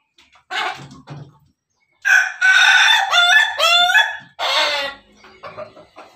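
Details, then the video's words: Pelung rooster crows. A short harsh burst comes first, then a long loud crow of about two and a half seconds with stepped, falling harmonic tones near the end, followed by a brief rough call. "ayam pelung berkokok"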